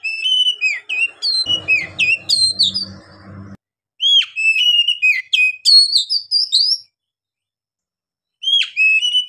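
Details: Kacer, the Oriental magpie-robin, in long-breathed ngeplong song: rapid strings of sharp, rising and falling whistled notes in three bursts with pauses between. A low buzzing rumble runs under the first phrase.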